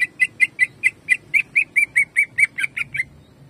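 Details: Greater green leafbird in jamtrok style, kept for training: a steady volley of about fifteen ringing, slightly buzzy notes, each short and evenly spaced, ending abruptly.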